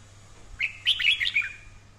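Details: Red-whiskered bulbul giving training song, described as fine and fiery, repeated daily: a short, jaunty phrase of quick whistled notes rising and dipping, bright and liquid, with a low constant hum underneath.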